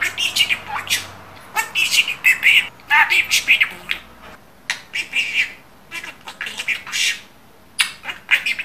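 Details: Well-spoken pet budgerigar chattering Turkish phrases: quick clusters of gravelly syllables and warbled squeaks, then sparser clipped notes toward the end.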